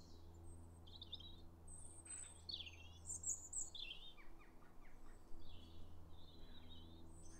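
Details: Wintertime robin singing to mark territory near a farm's wooded paths, 9 January 2022; varied high trilled and warbled fragments tumbling in quick succession, plus a low droning hum underneath.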